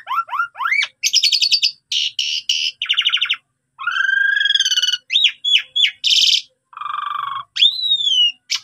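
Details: Asian pied starling (jalak suren) singing a full, varied song for training other starlings: rising whistled slurs, grating rasps, a long buzzy note, rattles and a drawn-out downslurred whistle, all loud and close.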